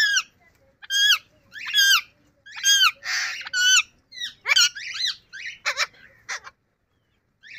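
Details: Pet yellow rose-ringed parakeet kept indoors, speaking different words: a run of squeaky, harmonic, bending syllables, roughly one a second, with short pauses between bursts and a quiet room behind.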